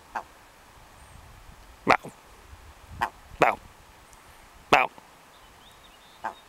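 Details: Willow ptarmigan met in Denali, Alaska, giving short, hard, barking notes like 'bow', six at uneven intervals over about six seconds, some doubled close together, against a quiet background.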